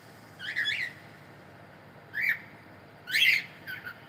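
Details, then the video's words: Male cockatiel song: three rough, whistled phrases with slurred, buzzy edges, spaced about a second apart, the last loudest and followed by a brief softer note; otherwise quiet. "Male Cockatiel sound"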